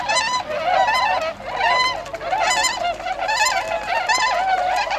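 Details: A flock of tundra swans wintering at Gohoden pond, Azumino, Nagano, Japan, on 22 February 2013, heading to nearby rice fields to feed, gives overlapping, mellow, wavering whoops and bugles about once a second in a continuous chorus.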